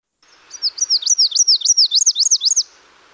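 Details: Another Nashville Warbler, whose song differs a little from the first bird: about eight high, looping, rising-and-falling notes, evenly spaced and slightly buzzy, over soft background hiss.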